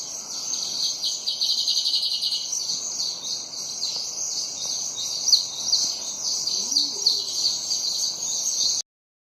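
Sparrows chirp continuously in a busy, overlapping chorus of short, high cheeps, with a steady high hiss beneath them.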